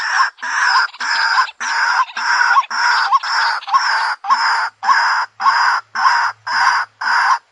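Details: Lure call of a white-breasted waterhen (ruak-ruak): rough, nasal croaks repeated evenly about every half second, each note a harsh burst with a small upward kink, no other sounds.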